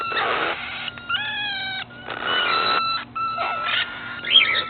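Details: Several cockatiels in an aviary call in turn with harsh, grating screeches and a steady whistled note.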